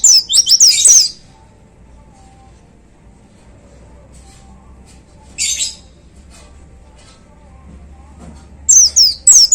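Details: White-eye singing in the 'gacor' style: a short burst of high, tumbling twitters, then mostly quiet, with a brief buzzy note midway and a final pair of high slurred whistles.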